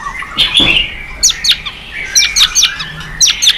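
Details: Singing white-rumped shama, a lure for other birds: thin high whistles and sharp clicky notes spaced about a quarter second apart over a soft steady tone.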